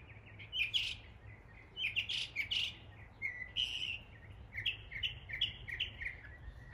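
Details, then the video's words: Northern mockingbird in East Tennessee imitating the sounds of local birds: a varied run of bright, high chirps, slurred whistles and short buzzy notes in quick changing phrases, over a low steady hum. "A mockingbird imitating the sounds of local birds in East Tennessee."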